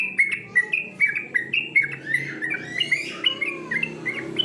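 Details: Yellow-vented bulbul competition song for training: clear whistled notes repeated about twice a second, joined midway by a rising, buzzy sweeping phrase. Faint low hum underneath.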